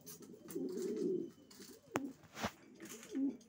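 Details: Racing pigeon cooing in a small room: a drawn-out low rolling coo, then sharp clicks and a shorter coo at the close.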